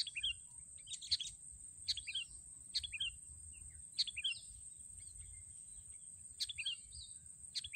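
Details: Sooty-headed bulbul recorded while trapping birds with snare sticks: short, sharp falling phrases repeated at irregular intervals of about a second, then a pause, over a steady high electronic tone.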